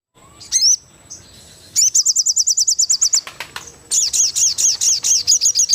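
Crested jay giving a fast, high rattle of about ten sharp notes per second, then a run of slurred, ringing notes at about five per second.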